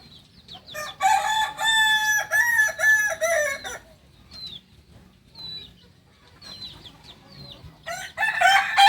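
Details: A Kukuak balenggek rooster, a singing breed from Solok, West Sumatra, crows for nearly three seconds in rapid broken syllables stepping down in pitch. Scattered softer calls follow, and a second loud crow begins near the end.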